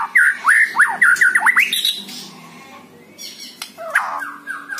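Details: White-rumped shama song used to stir a lazy caged bird into singing: a run of sharp whistled notes around the middle range, fast and jerky, followed by quieter warbles and a final burst of rich phrases.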